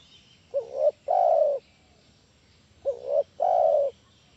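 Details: Spotted dove call used as a lure to make other doves answer: two low cooing phrases, each a quick two-part wavering note followed by a longer, steady, slightly falling coo, repeated after about two seconds over a quiet background.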